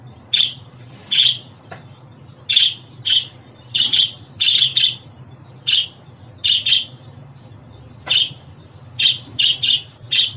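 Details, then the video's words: Budgerigar repeating about twenty shrill, buzzy chirps over ten seconds, some single and some in quick doubles or triples, over a faint hum. "Muhabbet Kuşu Sesi, Kuş Sesi! Muhabbet kuşu ötüşü, muhabbet kuşu çağırma sesleri!"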